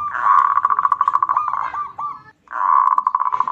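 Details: Local zebra dove singing as a lure to draw and stimulate other birds: rapid, hoarse purring trill of cooing pulses on a steady low pitch, a short quavering phrase, a brief pause, then the trill resumes.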